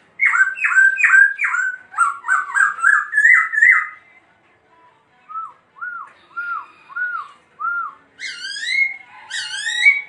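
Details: Dancing laughingthrush delivering a fast run of chattering double-toned whistles, a pause, five evenly spaced short arched whistles, then loud ringing downslurred notes with bright overtones.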